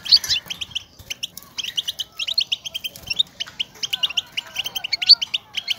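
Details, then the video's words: Goldfinch motivating chatter, a sound wild birds use to call to each other and signal presence, meant to spur caged males to sing and mate: rapid high twittering bursts of short buzzy notes, nearly continuous, with sharp chirps interspersed. "بتبتة الحسون, لمساعدة الذكور على التغريد و التزاوج"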